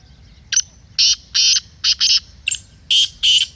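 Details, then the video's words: Black francolin voice played for caged francolins: a rapid series of loud, scratchy, buzzing notes in short bursts and pairs, roughly eight within three seconds, over a quiet background. "Kala Teetar masti aur chakri k liye behtareen awaz/Black Teetar Voice"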